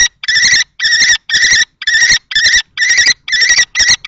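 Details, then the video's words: Two male common kestrels, one adult and one juvenile, fight over a nest box in Théding, France, 20 March 2024. Loud, harsh, drawn-out screeches repeat about twice a second. "Bagarre entre 2 mâles - 20/03/2024 - Les faucons crécerelles de Théding"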